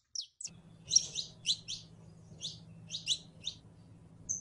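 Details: High chirping song of the saffron finch, Sicalis flaveola: bursts of paired bright notes separated by short gaps, ending in a thin whistle, over a low constant hum.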